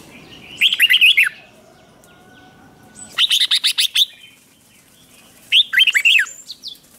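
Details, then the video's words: Competition-style singing of a red-whiskered bulbul, meant to spur rivals into song: three bursts of fast, loud chattering warbles, each under a second long, with pauses of about two seconds between them. "Kích Chào Mào Hót Ché |Kích chào mào hót đấu"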